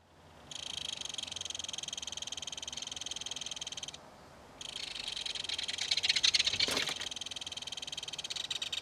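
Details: Belted kingfisher adult calling to its baby, which calls back, at a nest dug into a mud bank during fish feeding: loud, continuous buzzy rattling chatter, a brief pause, then a second long, intense burst.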